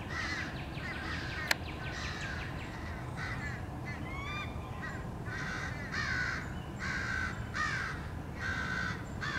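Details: Several crows pursue a male bald eagle that tries to hide and fend them off at its nest, 30 March 2016; rough, raspy caws repeat in separate bursts, with one sharp click early on.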